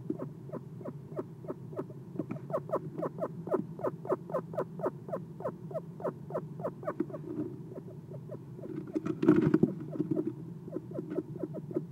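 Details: Eastern screech owl on the perch of a nest box at night, early morning of 6 November 2016, recorded by a nest camera; soft low chirping notes repeat rapidly, about four per second, with a brief noise burst near the end.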